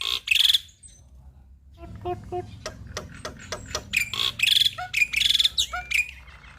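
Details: Male black-winged starling in full varied song, used as a lure so other starlings sing; sharp whistles and bright chirps with buzzy bursts, broken by a quieter stretch of low clicks and soft notes.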